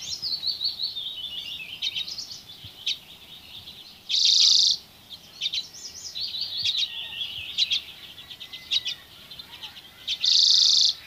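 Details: Dozens of common redpolls foraging on alder cones in Haren, 2024: dense, rapid chattering calls and a descending twittering run, broken by two loud harsh buzzy bursts a few seconds apart.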